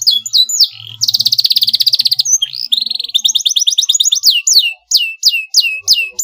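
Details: Provoking song of a canary aimed at rivals: loud, dense buzzing trill, then a rolling series of rapid notes and clear descending whistles repeated about every half second toward the end.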